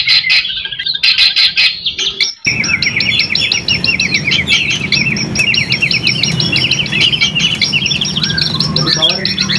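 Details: White-rumped shama, caged songbird, song played as a lure to stimulate other shamas: dense rapid chattering phrases with repeated high trills and quick slurred notes, continuous and loud after a brief broken start.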